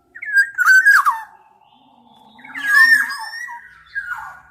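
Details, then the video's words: Black-naped oriole singing two drawn, slurred whistles with a squeaky, wailing quality, the second rising and lingering before a final brief note. "Tiếng chim Vàng anh Gáy đen/ VA Trung Quốc ✅Black-naped Oriole(Oriolus chinensis) ✅นกขมิ้นท้ายทอยดำ"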